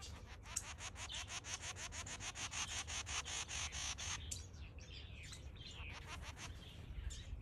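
A male diamond firetail sings: about four seconds of rapid, dry ticking notes, then softer drawn-out rising and falling whistles, over a low background rumble.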